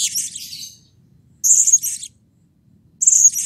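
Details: Three loud, buzzy high-pitched bursts from an excited blue-crowned hanging parrot, about one and a half seconds apart, used to stimulate other birds into calling.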